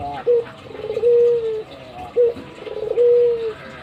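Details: Kept albino Barbary dove cooing actively while bowing: two low, steady coos, each a short note followed by a long level hum, against faint background hiss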